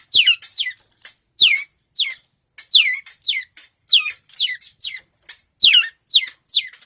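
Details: Long-tailed shrike in lively song for training other birds: repeated sharp downslurred whistled notes sweeping from high to lower pitch, delivered in quick pairs and singles with short pauses, fairly clean background.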